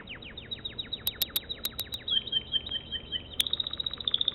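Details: American Singer canary song of fast repeated downslurred whistled notes forming quick rolling phrases, then a higher steady trill, with several sharp clicks mixed in.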